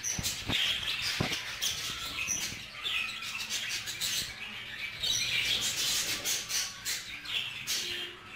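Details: Budgerigars bred together in one group, a male jealous over a female; continuous gritty warbling and squawky chatter, dotted with clicks and faint wing flutter.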